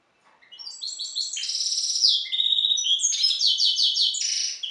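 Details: European goldfinch hybrid bred from Carduelis carduelis balcanica delivers a rapid series of tinkling, buzzy trills and sharp chirps, the phrases rising and falling in quick succession against a silent background.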